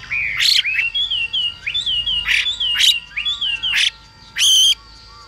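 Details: A female Chinese hwamei, calling alongside a singing male to excite other birds, gives loud, slurred whistled phrases broken every second or so by harsh, scratchy bursts, then ends with a buzzy, nasal note.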